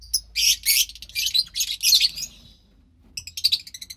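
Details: Two lovebird chicks from white pastel violet and pastel mauve parents, recorded March 3, 2021, give harsh raspy bursts in a quick run for about two seconds, then a pause before a shorter broken series of scratchy chirps.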